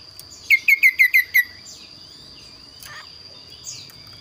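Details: Kaso-kaso bird singing energetically, its song called unique and varied: a rapid series of six falling whistled notes, then soft sliding whistles and a brief rustle, over a faint hum.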